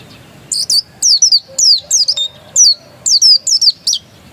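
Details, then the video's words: Oriental white-eye, dakun type, still in its original voice: clustered pairs of piercing, high, twittering notes that drop in pitch, repeated steadily through the recording. "Suara burung pleci dakun masih asli"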